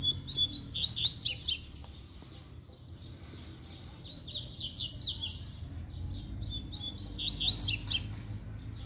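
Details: Two wild Double-collared Seedeaters (coleiros) singing, found during an outdoor walk: rapid high twittering phrases of sharp descending notes and trills in bursts, a pause in between, then another burst; low rumbling background noise throughout.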